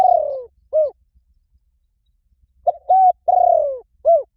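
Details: Spotted dove call used to lure wild doves: a long, falling, rolling coo and a short hooked note, then a pause before a short note, a level coo, another long descending purring coo and a final hooked coo. Quiet background.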